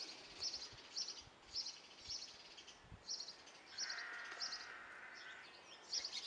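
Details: Nine baby great tits in a garden bird box in Belford, Northumberland, uttering short, high, squeaky chirps repeated roughly twice a second, with a brief lower hissing noise partway through and faint background rumble.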